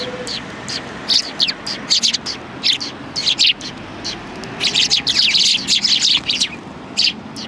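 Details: Several sparrows on a bench at a Tenmangu shrine, recorded January 21, 2020; bursts of sharp, high chirps come in irregular clusters, densest toward the end, over a faint low background hum.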